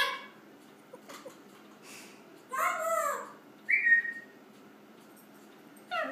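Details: Pet African grey parrot yelling unintelligibly indoors while its owner studies: a loud harmonic squawk arching down near three seconds, then a sharp rising-falling whistled cry, with faint shorter sounds before and after in a quiet room.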